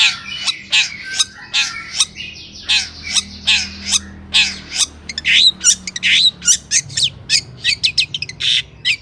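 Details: Long-tailed shrike singing as a lure for other shrikes, with mimicked phrases: rough scratchy notes at a steady pace, turning into quick high chirps and whistles toward the end.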